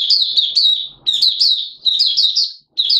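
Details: Malaysian Oriental white-eye, mata puteh, in buka sing opening song, Singapore, 29 March 2023, warm, humid, sudden showers. Quick, high, slurred tweets pour out in short clustered phrases about once a second.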